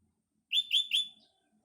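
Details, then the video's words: Sooty-headed bulbul singing in the morning amid green nature: a quick phrase of three loud, bright chirped notes, evenly spaced and held at about the same pitch, ending in a short, fainter trailing note. "burung kutilang berkicau"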